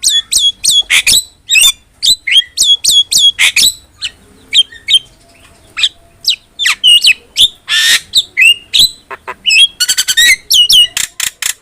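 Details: Javan myna singing briskly in a tutor recording: rapid runs of sharp whistled chips and squeaks, a short harsh rasp near the end, pausing briefly between bursts.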